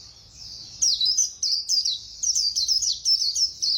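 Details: White-eye singing in the fast 'líu' style: after a quiet start, a rapid run of high, thin, twittering phrases of slurred, jumping notes crowds together almost without pause.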